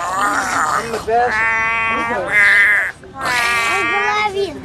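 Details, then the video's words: A grey parrot copying voices and sounds imitates a human voice with three drawn-out, speech-like phrases, the pitch wavering and sliding, with a brief pause before the last phrase. "Grey parrot copies voices and sounds"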